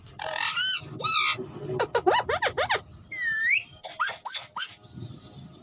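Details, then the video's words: A talking Alexandrine parakeet says "miyan mithu" in a run of hoarse, harmonic, word-like syllables, some rising and falling sharply, with a faint low hum behind. "talking raw parrot || miyan mithu"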